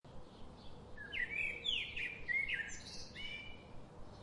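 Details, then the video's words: Birds chirping: a burst of bright, high-pitched twittering and short warbled phrases in the middle, some notes sliding upward, over a quiet steady low hum. "Birds sound"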